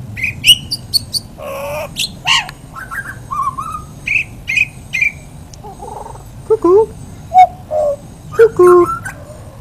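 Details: Friendly butcherbird calling out for its dinner while a person talks to it, singing a string of clear, flute-like whistles, some rising and some falling, mixed with a few harsher chattering notes. The person speaks faintly in the background.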